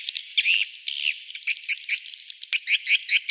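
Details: Swiftlet roosting call for a three-floor swiftlet house: quick, rattling series of high chirps and buzzy notes, irregular at first, then faster and more regular.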